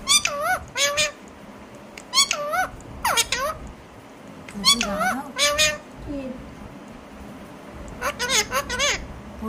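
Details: Alexandrine parakeet talking: a series of wavy, rising-and-falling harmonic voice phrases in short bursts, some slurred and squeaky, separated by brief pauses, with a faint low background hum.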